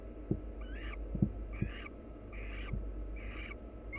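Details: Mutual preening between two wild barn owls, accompanied by a run of five scratchy, rising chitters nearly a second apart, plus several soft low knocks or thumps early on.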